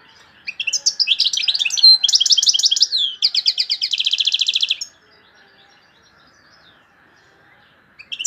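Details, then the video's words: European goldfinch delivering a loud, high song: about four seconds of quick tinkling and buzzy trilled phrases ending in a fast, even rattle, followed by near silence and a brief new chirp at the end. "تغريد مقنين عالي"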